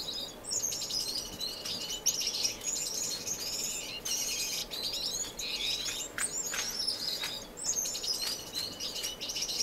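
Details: Many finches singing together in an indoor community aviary in Edmonton, Canada, in March 2015: overlapping high chirps, trills and squeaky notes that never pause, over a low, constant room hum.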